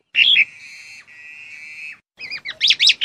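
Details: Black-collared starling with a sharp squeaky note, then a long, steady, nasal buzzing whistle lasting over a second, followed by a quick series of rising squeaks.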